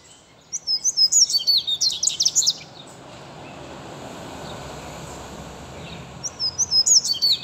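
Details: Seedeater song: a fast burst of high, sharp twittering notes lasting about two seconds, a quiet pause with steady background noise, then the same bright run starting again at the end.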